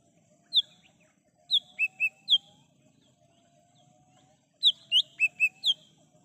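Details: Lesser green leafbird singing in the wild, recorded for use as a lure and calling sound: two bursts of four to five sharp, high whistled notes, a faint steady lower whistle drawn out between them, soft low rumble behind.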